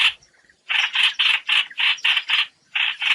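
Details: Flock-gathering call of the trao trảo bird, used to lure birds into nets: after a short quiet start, rapid raspy bursts follow one another at roughly four per second.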